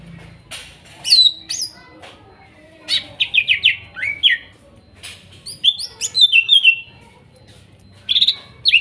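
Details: Wild-caught greater green leafbird from Kuningan, trotol and nopeng stage, used as singing therapy for mute birds. Bursts of bright descending whistles and chattering chips separated by short pauses, with a faint low background hum.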